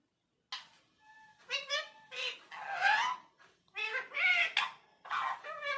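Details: Indian parrot talking: a run of speech-like syllables in a squeaky, nasal, harmonic voice, coming in short bursts with brief pauses, some drawn-out vowel sounds, and a thin whistled tone early on.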